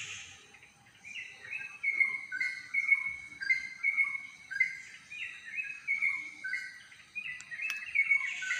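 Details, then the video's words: Unseen songbird singing outdoors: a melodious series of clear whistled notes, stepping between slightly higher and lower pitches, sweet and repeated, over faint background hiss. "melodious chirping sound🐦🦜, but couldn't find the bird"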